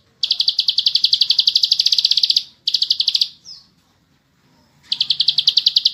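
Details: Ngebren-style song of a bar-winged prinia. Rapid high chips run for about two seconds, break briefly, resume for under a second, then fall silent before a third fast burst starts.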